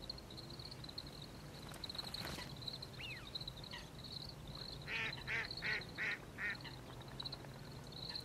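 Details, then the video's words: Grey-capped greenfinch recorded on 16 January 2023; a quick series of five nasal, buzzy notes near the end, with a few fainter single calls earlier, over a steady high hiss and low background rumble. "Greenfinch Sounds🐥🐥🐥 / Various Bird Sounds(Grey-capped greenfinch/カワラヒワ)"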